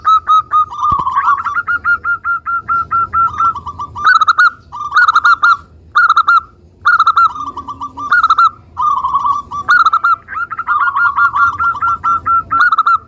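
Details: Vigorous song of a local zebra dove, played to lure and stir other doves into singing. Clear, ringing coo phrases of quick staccato notes are repeated over and over with brief gaps, some phrases longer and rolling, others clipped.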